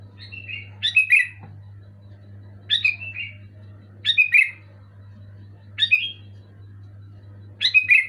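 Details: Sooty-headed bulbul sings loud and clear to spur a moulting bulbul back into song: five cheerful gurgling whistled phrases repeated roughly every 1.7 seconds, a steady low hum throughout.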